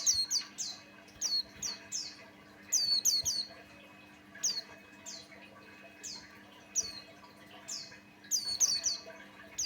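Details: Buxtoni white-eye song used as a lure to get other white-eyes singing: bursts of high, thin, downslurred whistles in quick chattering runs, separated by short pauses, over a faint steady low hum.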